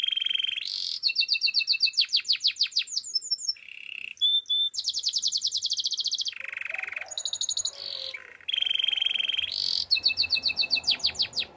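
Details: Russian canary song built from changing tours: buzzy low trills alternate with long, fast, bright rolling trills and brief pure notes, with a soft background rumble near the end.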